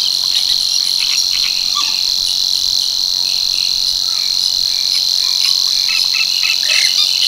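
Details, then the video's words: Savi's warbler at Tancat de l'Illa in l'Albufera, delivering a monotonous, strident reel, a continuous high buzzing trill without pause, while other small birds call softly and briefly in the background. "BUSCARLA UNICOLOR en el Tancat de l'Illa - Parte 1 | 🎵 CANTOS DE AVES"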